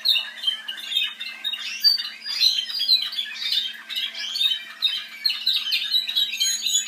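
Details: Spanish Timbrado canaries, offspring of a 2012 Andalusian champion, sing without pause: fast, rolling chirps and metallic trills packed in a high, bright stream, with a faint electrical hum underneath.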